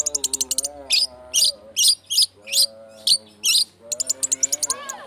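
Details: Long-tailed shrike lure for provoking song: a quick rattle of high ticks, then a row of harsh, grating bursts about twice a second, ending in fast ticking again, over steady lower tonal notes.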